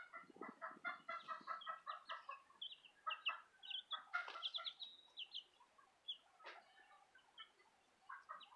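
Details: Several Southern Rambler chicks and a Golden Comet chick cheeping: rapid overlapping chirps and shriller high peeps, busy at first, then sparser toward the end, with faint scratching or rustling in the background.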